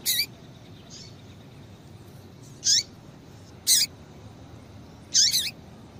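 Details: Female double-collared seedeater calls to get males singing: four brief, bright chirps with a downward-sliding lower note, the last one doubled, separated by about one-second pauses over light hiss.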